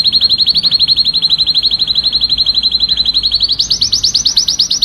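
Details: Male canary song meant to excite a female for mating: a long rapid rolling trill of repeated high notes, then a shift to a higher, slightly slower series of pulses near the end.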